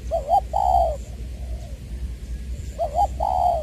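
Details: Decoy spotted dove, Long Đức in Trà Vinh, Vietnam, February 22, 2021, with a "giọng tiểu" style voice: a brisk double coo then a longer warm coo, a quiet pause with a faint coo, then the pattern repeated.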